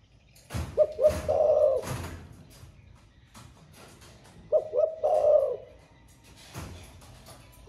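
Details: Spotted dove in the 'thổ pha' song style, a voice said to sound all day: two soft, low cooing phrases about four seconds apart, quick short notes then a rolling coo, with bumping and knocking noises in between.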